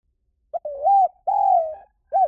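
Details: Spotted dove lure call: one cooing phrase made of a brief lead-in note, two long, smooth, slightly falling coos, and a short rounded closing coo, all low and mellow with quiet surroundings.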